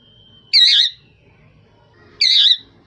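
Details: Two harsh, screechy squawks from a rose-ringed parakeet, about one and a half seconds apart, over a low background murmur and a thin steady tone.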